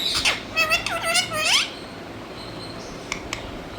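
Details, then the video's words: Parrot calling: a quick run of harsh, wavering squawks with strong overtones, rising and falling in pitch, packed into the first one and a half seconds, then quiet apart from two sharp clicks. "Parrots Mithu Tote Ki Awza"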